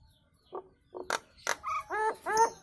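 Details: Nias hill myna kemrewek chatter that draws other birds in: two low nasal notes, two sharp bright calls, then three rich harmonic, slightly arching notes, growing louder.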